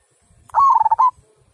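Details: Local zebra dove with a big 'kung' style voice: a single cooing phrase, a short rising note, then a quick run of bubbly pulsed notes ending in a held, slightly rising coo. Faint low rumbles underneath.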